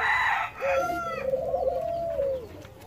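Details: Jamaican white-crowned pigeons during hand feeding; after a brief harsh, broadband burst, a steady mid-pitched tone is held for about two seconds, slightly wavering, then drops away.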